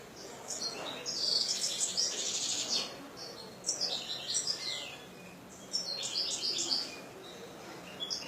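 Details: Kept European goldfinch singing: bursts of high, tinkling, twittering phrases with buzzy notes, separated by short pauses, over a faint background hiss.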